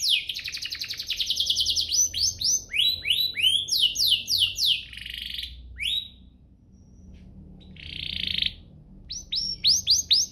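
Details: Canary song used to stimulate other canaries into full singing, mixing rapid downward-sweeping buzzy notes repeated in trills with longer rasping phrases, a brief pause near the middle, then more swept trills.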